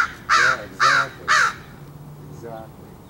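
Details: Crow being fed, cawing at something: three harsh, raspy caws in quick succession, then a brief spoken word from the person feeding it.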